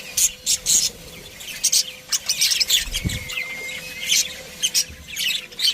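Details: Pet budgerigars eating breakfast together: dense, continuous high chirping and twittering from several birds, bright rapid notes overlapping, with a faint steady hum and one low thump.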